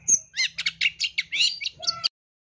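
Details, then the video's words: Long-tailed shrike in a training recording with rich fill-in phrases, giving a dense burst of scratchy, buzzy notes that run together quickly, ending in a few clearer whistled tones. "Masteran Cendet Full Isian Tembakan Mewah"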